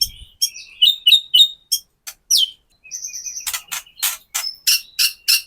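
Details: Murai batu, or white-rumped shama, in a kretekan lure for captive birds: high chirps and a swooping whistle, then sharp harsh notes repeated about every quarter second.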